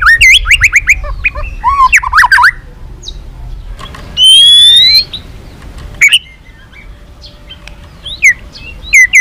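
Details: White-rumped shama long song used to provoke rival shamas: jumbled, fast whistled phrases, a drawn-out buzzy harmonic note in the middle, then scattered sharp clicks and short whistles over soft background noise.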